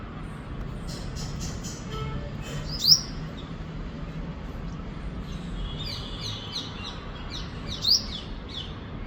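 A sunbird gives thin, high-pitched chirps and short twittering phrases, with two sharper notes standing out, over steady low background rumble.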